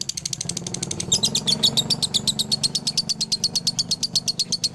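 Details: Dobelan chatter of a male lovebird from Ciamis: quick, bright, high chirps in a dense rattling series, with a low rumble in the background.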